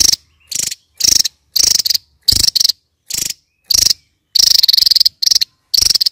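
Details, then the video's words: Kingfisher delivering a fast series of buzzy, rasping rattle bursts with short pauses, some bursts longer and more drawn out; no other animals or background noise. "Burung raja tembak yang lagi VIRAL"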